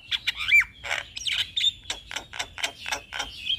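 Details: Jalak Kebo, the Javan myna, singing a full varied song: a rapid mix of scratchy squawks, ratchet-like rattles and brief clear whistles, delivered in steady pulses about every quarter second, with low background hum.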